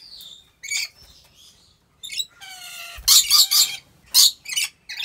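Rainbow lorikeet giving harsh, grating screeches in quick bursts, with a brief, falling, tonal squeal near the middle.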